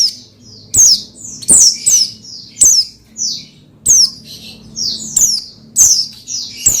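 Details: Oriental white-eye (pleci) song used to stir another pleci into singing: rapid, irregular run of high, sharp descending chirps and short trills, many notes close together.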